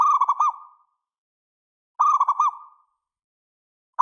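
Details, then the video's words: Zebra dove of a local Indonesian strain, song meant to draw other doves into answering: two short bursts of rippling, throaty coo notes, each ending in a drawn-out tail, separated by about a second of quiet. "Perkutut Lokal GACOR !! Suara ANGKATAN PANJANG, Pancingan & Masteran Segala Jenis Perkutut"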